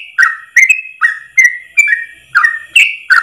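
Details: Yellow-vented bulbul ropel song for training caged birds: a handful of rich whistled notes, some drawn out and falling, others short and rising, each opened by a sharp click, spaced about half a second apart.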